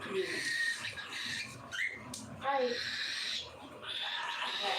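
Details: Cockatiels at feeding time giving harsh, scratchy calls with short whistled notes, broken by quiet gaps, with human speech faintly underneath.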